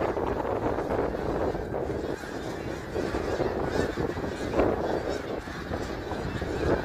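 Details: Snow geese at Middle Creek Wildlife Area on 3 March 2022: a dense, unbroken chorus of overlapping nasal honks from a large flock, with no pauses and a few louder calls standing out near the fifth second.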